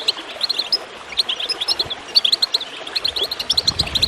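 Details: Goldfinch twittering above a bed of gurgling water, used to stimulate other birds to sing: quick, high, liquid chirps strung in fast runs with brief pauses between phrases.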